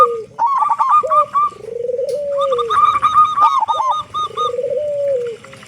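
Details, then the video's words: Local zebra dove, a prolific singer with a big voice, used to prompt other doves to sing soon: long, low, gently rising and falling coos, overlaid by rapid repeated higher staccato notes. "Perkutut Lokal Gacor Suara Besar Pancingan Burung Perkutut Agar Cepat Bunyi"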